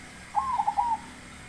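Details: Big-voiced baron zebra dove giving a single short rolling song: an upswept coo and three fast bubbling notes, with quiet background.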